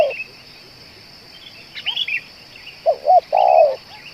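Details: Coo of a spotted dove, a bird valued as a lure for calling two hours: two brief notes, then a long rolling coo. Small birds twitter higher up.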